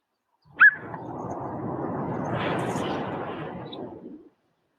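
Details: A Hooded Plover (Thinornis cucullatus) in Australia gives a single sharp, high, clipped alarm note over rushing surf or wind, probably while defending against or running from a threat, leading danger away from its nest.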